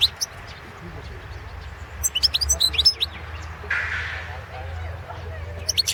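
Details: Competition recording of a Balkan European goldfinch (Carduelis carduelis balcanica) from Serbia: a burst of rapid high twittering notes in the middle, a brief breathy noise, then a few sharp chirps at the end, with low hum throughout.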